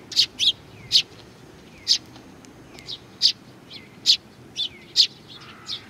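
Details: Several sparrows arriving to be fed at a shrine, Tenmangu in Nakanoshima, on 21 June 2020; short sharp high chirps repeated irregularly, roughly one to two per second, some with a brief downward slur, over faint background hiss.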